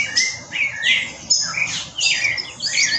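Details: Spectacled Thrush sings rich, varied whistled phrases about a second apart, rising and falling, with mild chattering of green-rumped parrotlets and other birds, including palm tanagers, in the background.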